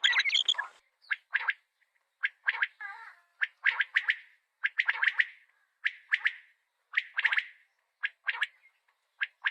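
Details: Common quail giving repeated call: clusters of two or three sharp, quick notes recurring about every second, with a brief burbling note near the start.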